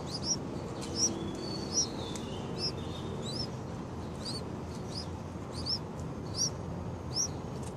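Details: Baby yellow-vented bulbuls at six days old: sharp, high-pitched rising chirps repeated roughly every second, sometimes doubled, with faint softer chirps and constant low background rumble.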